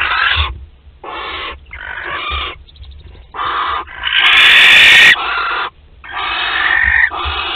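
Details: At a Théding nest in France, 25 April 2021, barn owls give rough breathy hisses in short bursts of about half a second, then one longer, louder screeching hiss, with soft thumps between.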